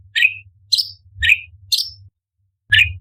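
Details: Orange-bellied leafbird (cucak cungkok) giving 'tembakan' shots: five short, sharp notes, alternating lower and higher, spaced about half a second apart, over a faint low hum.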